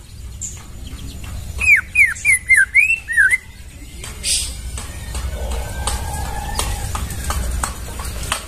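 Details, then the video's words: White-rumped shama in the forest giving one quick phrase of six bright, downward-slurred whistles, then background noise with faint distant sounds. "Masteran murai suara asli dari hutan"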